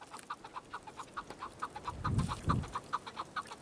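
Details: Chukar partridge uttering an even series of short clucking notes, nearly four per second, with two low thuds near the middle.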